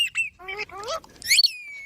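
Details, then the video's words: Green baby parrot giving short harmonic chirps that rise in pitch, then a shrill squawk that fades into a thin, steady whistled tail. "Green Baby Parrot Chirping Sounds"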